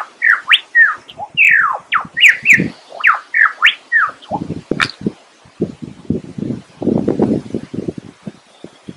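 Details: Lyrebird singing a string of clear whistled notes that rise and fall, some sharply upswept, followed by a low, rattling series of clicks and thuds.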